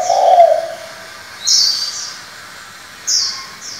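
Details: Spotted dove switching between varied voices, used to stimulate decoy doves and train young doves: one low, even coo lasting under a second, followed by sharp, high whistled notes from another bird.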